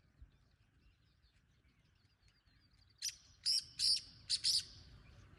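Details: After about three seconds of soft outdoor background, a wild black francolin gives a single grating five-note call, somewhat distant, the notes short and rhythmic.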